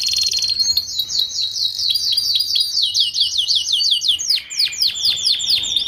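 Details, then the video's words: Canary performing 'paud' song for tutoring young canaries kept in a group: a rolling trill of rapid whistled notes blending into jerky chips, then a cascade of steeply falling slurred whistles. "Kicauan Kenari Paud Untuk Pemasteran Kenari Muda Ombyokan Agar Cepat Bunyi!"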